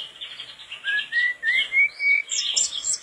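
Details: Mangrove blue flycatcher singing persistently, recorded as a tutor tape: a run of clear slurred whistles, each about a third of a second, stepping upward, then breaking into a higher twittering flourish.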